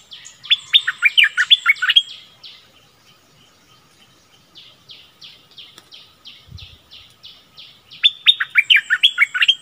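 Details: Captive decoy Streak-eared bulbul sings fast bursts of sharp, downward-slurred chirps at the start and end. Between them come softer, steady, repeated tweets from a more distant bird. A single low thump sounds in the middle.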